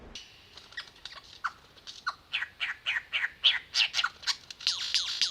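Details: A lyrebird near its display stage in Toolangi State Forest, where it woos the female, pours out a rapid run of varied, ringing whistles and sweeping chirps, about three or four notes a second, growing louder toward the end.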